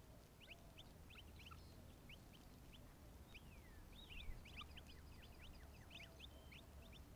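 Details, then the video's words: Quail chicks, a brood of eleven, chirp while drinking at a pond on an Arizona afternoon, with other birds nearby. Scattered thin high peeps and quick rising chirps come in loose bursts, with a faint lower call and constant low hum. "11 Quail Chicks Chirp & Drink on a Beautiful Afternoon"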